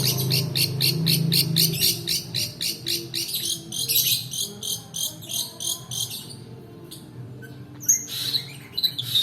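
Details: Long-tailed shrike rolling song for luring lazy singers and training other birds: a fast, regular stutter of short harsh notes, roughly four a second, then fading into scattered high chirps.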